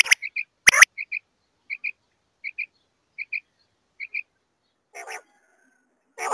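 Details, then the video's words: Female common quail calling: soft paired whistled notes, each pair a quick double pip, repeated about every 0.7 seconds at an even pace, framed by loud harsh crackling bursts at the start and end. "Female Batair Ki Awaz"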